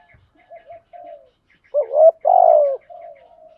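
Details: Call of a spotted dove to attract rival birds: quiet low coos, a loud rising double note, a sustained falling coo, then a softer trailing coo; faint high chirping in the background.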